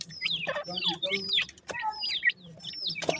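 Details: Several francolin chicks peep during feeding, each call a high whistle dropping steeply, given in quick overlapping bursts. Sharp pecking clicks and low rustling accompany them.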